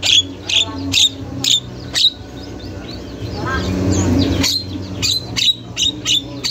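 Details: Javan myna from a masteran recording, calling almost without pause: sharp, high, clipped notes in loose series, broken midway by a rushing noise, then resuming at a similar pace.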